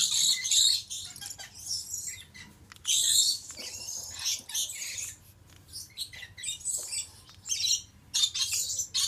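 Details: Male Stella's lorikeet of subspecies goliathina screeching repeatedly: loud, harsh, high bursts of about a second each, separated by short pauses, with quieter chattering notes between them and faint low hum.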